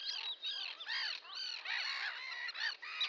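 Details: Many Sandwich terns giving rasping, downward-arched calls in a continuous overlapping clamour, with no gaps between birds.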